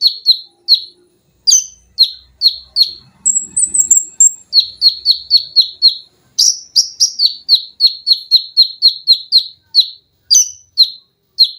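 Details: Konin (olive-backed sunbird) on a cage-bird tutor recording in tembakan rapat, mesin jahit, lengkingan and besetan styles: a long run of sharp, down-slurred chirps about three per second, broken by a brief higher trill.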